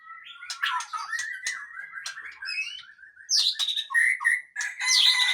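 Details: Male white-rumped shama song: a steady whistled line threaded with scratchy chatter, then loud high squeaky notes and fluty whistles in quick succession.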